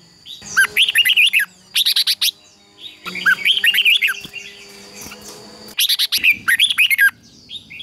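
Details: Red-whiskered bulbul singing in competition, a lure song used to train and stimulate other bulbuls to sing; bright whistled warbling phrases in three bursts about every two and a half seconds, with faint background hum.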